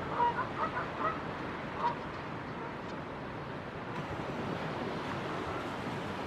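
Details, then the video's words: Two Canada geese on the Pacific shore at West Vancouver, British Columbia, one morning, give about five short, nasal honks in the first two seconds, as if trying to get the last word in, then only waves rolling ashore continue. "Canada Geese Honking"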